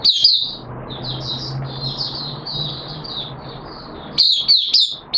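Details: High-pitched warbling from a caged oriental white-eye on 13 September 2022, second day of deworming; a sharp opening chirp, a soft running twitter for several seconds, then louder clipped chirps at the end, with low background hum.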